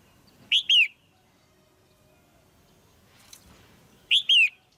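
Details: Female red-whiskered bulbul, likely caged, calling to stimulate a male or for pairing: two loud whistled notes, the second sliding downward, given twice about three and a half seconds apart, with faint rustling between.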